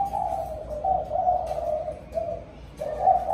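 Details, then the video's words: Spotted dove calling its flock in the evening: a series of low, mellow cooing notes, steady and slightly wavering, broken by brief pauses, with faint clicks and a quiet indoor background. "Cu gáy gọi đàn chiều"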